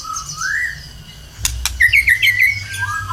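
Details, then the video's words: White-rumped shama in song, played as a lure to make other birds sing: a soft rising whistle, two loud clicks, then a quick series of bright looping notes and a final slurred phrase. "PANCINGAN BURUNG MURAI BATU GACOR 100% IKUT BUNYI"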